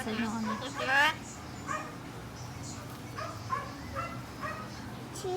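A myna gives a rasping, rising squawk, then a string of short barking, yelping notes about a second apart, with people talking in the background.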